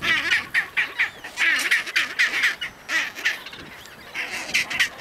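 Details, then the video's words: Chinstrap penguins fighting in the Antarctic: a run of harsh, honking, stacked calls, each short and braying, coming in quick bursts with brief gaps between them. "Chinstrap Penguin Fight in Antarctic"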